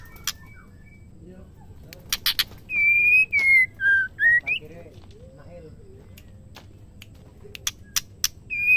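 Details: Female white-rumped shama, whose song is meant to make males sing: after scattered clicks, five strong whistled notes step down and then up in pitch. More clicks follow and a fresh whistle starts at the end.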